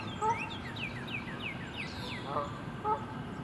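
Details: Canada geese in winter at the west bay of Lake Conestee Nature Park: three short, nasal honks, one early and two close together near the end, over steady outdoor rumble, with thin falling whistles from another bird.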